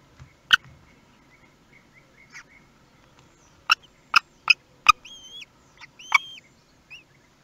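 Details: Common kestrel at its nest in Théding, 18 May 2021, when the first chick hatched. Sharp clicks and knocks come in a quick run, followed by two or three arched, thin whistled notes near the end.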